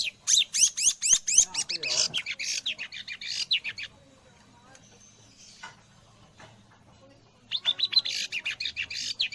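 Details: Long-tailed shrike imitating the white-rumped shama: fast loud bursts of sweeping, whistled and squawky notes, a quieter pause, then another rapid run of repeated sweeping notes.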